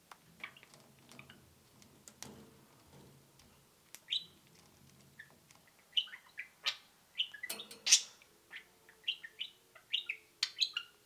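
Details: Two pet budgerigars in cages, faint chatter over a low background hum at first, then clearer high cheeps and sharp peeps coming every half second or so.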